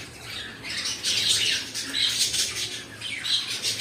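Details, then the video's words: Pet cockatiels giving harsh, raspy, high-pitched squawks in overlapping bursts, with three louder peaks spread over a few seconds, over a faint low steady hum. "My Cockatiel Birds"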